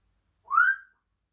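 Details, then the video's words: African grey parrot chatting in the morning gives a single clear whistled note, rising slightly and then levelling off, lasting about half a second in a quiet room. "having a little chat this morning #africangrey #talkingparrot"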